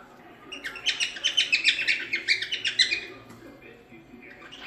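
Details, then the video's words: Cockatiel singing, offered as teaching material for training a cockatiel to sing: a rapid run of bright chirped whistles repeated about twice a second for two seconds, then quiet with faint chatter. "Canto de Calopsita 🐦 Ensinando Calopsita Cantar"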